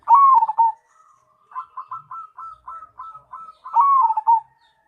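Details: Cemani zebra dove singing: a loud falling coo opens, a string of about eight short stuttered cooing notes follows, then another loud descending coo closes the phrase.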